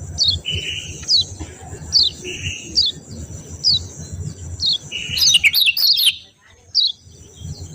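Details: Yellow white-eye, locally kecial kuning: a series of evenly spaced, thin downward chirps alternating with brief lower buzzy notes, then a frantic, squealing flurry near the end before a final lone chirp; a steady high tone persists throughout.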